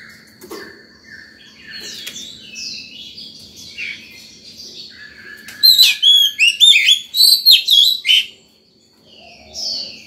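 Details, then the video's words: Oriental magpie-robin in a fired-up state singing in the morning, used to call other birds and train young birds: soft whistles, then a loud burst of rapid, varied, sharply rising and falling whistled notes for about two seconds before a brief quiet. "Chòe than vào lửa hót sổng buổi sáng, gọi bổi, tập chim non hay!"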